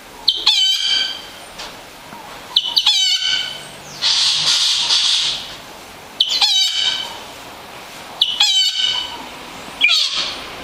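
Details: Yellow-rumped cacique singing: loud phrases of stacked, harmonic nasal notes, each followed by a rushing, buzzy wash of noise, repeated about every two seconds over a quiet background.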